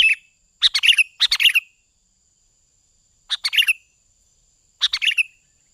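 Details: Sooty-headed bulbul lure song: loud, rollicking bursts of clustered chirpy notes, a pair of phrases followed by single phrases every one and a half seconds, separated by silence, with a thin constant high tone underneath.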